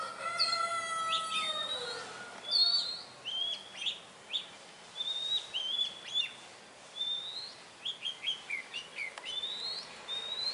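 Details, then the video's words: Oriental magpie-robin singing in the wild: a varied run of short, high, sweet whistled notes and slurred phrases; a rooster crows loudly at the start. "Chic Chòe than hót ngoài thiên nhiên"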